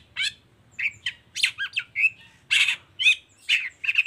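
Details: Long-tailed shrike in full 'toet toet' song, used to prompt lazy shrikes to sing: high, varied chirps and sharp squawky notes in quick bursts, some rising and falling, with short gaps between phrases.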